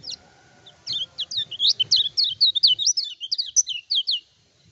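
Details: Lemon-bellied White-eye, or kecial kuning, singing energetically without stimulants. The lure song fires off about four high, bouncing whistled phrases a second, rising and falling in quick loops over faint low background rumble.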